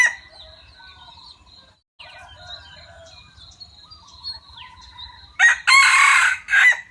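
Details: A caged Thai decoy junglefowl cock bursts into a loud, harsh, rasping crow near the end, after a quieter stretch of faint chirping birds and soft background music.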